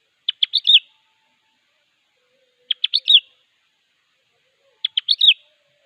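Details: Sooty-headed bulbul song aimed at calling a rival, a brisk run of clipped notes closing on a fuller slurred whistle, given three times roughly every two and a half seconds with silence between.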